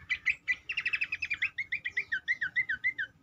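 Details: Cingcoang lure song to make other birds sing: a dense burst of sharp chirps running into a long chain of rolling, wavering whistled notes, steady and rapid throughout.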